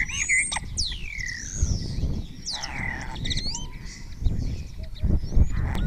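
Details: Spotless starling song in Cabañeros National Park, Spain, with replies from other starlings and imitations of other birds. Dense medley of sweeping whistles, quick upward slides and buzzy notes, some layered, above constant low-pitched background noise.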